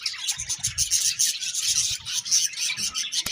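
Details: Several budgies chatter in a dense, continuous mass of high, scratchy chirps and warbles, with soft low thumps underneath.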